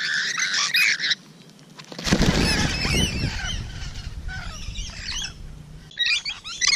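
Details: Rainbow lorikeets recorded close up on the morning of 12 June 2017, giving harsh screeching calls in bursts, with a loud low rumbling noise in the middle of the recording.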